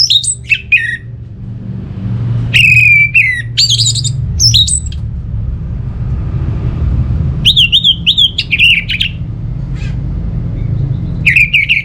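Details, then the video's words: Singing orange-headed thrush from Singaraja, North Bali, meant to coax quiet birds into song: loud bursts of ringing, warbling and buzzy notes separated by pauses of several seconds, with a continuous low hum throughout. "Gak Sabar ANIS MERAH Mau Nyaut Gacor❗❗❗Pancingan Ampuh Buat Burung Dirumah yang lagi Malas Bunyi"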